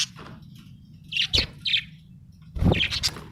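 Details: Happy budgerigar chirping, short bright high notes in small clusters separated by brief pauses, over a low background hum and some thumping.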